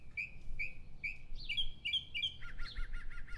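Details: At dawn, a Northern Mockingbird sings a rapid run of phrases: three clear whistled chirps about half a second apart, then slurred notes and a fast burst of repeated buzzy syllables.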